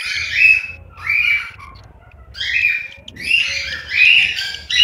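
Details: Cockatiel chicks in a nest, Juazeiro do Norte, Ceará, Brazil: hoarse, scratchy calls in separate bursts, ending in a denser, louder run of overlapping rasps.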